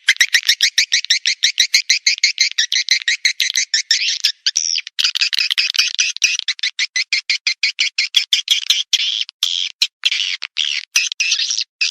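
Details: Swiftlet lure recording for swiftlet farmers: fast, dense bursts of high, buzzy chirps, about three per second, with no other sounds.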